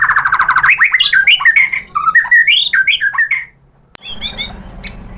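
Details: White-rumped shama singing, played to entice other shamas to respond: a buzzy rapid trill opens into a cascade of varied whistled and slurred notes, ending after a pause with a few soft chips.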